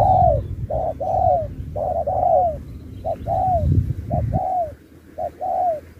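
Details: Spotted dove singing in the Thúc kèm Bo style at a contest. Repeated pairs of a short hoot and a longer coo curving downward come roughly every second. Some notes run close together, over a low rumbling background.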